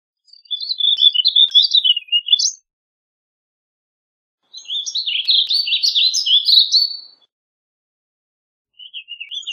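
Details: Warbling vireo song: two long, hurried warbled phrases of twisting high notes, each about two and a half seconds, separated by a pause, with a third phrase starting at the end.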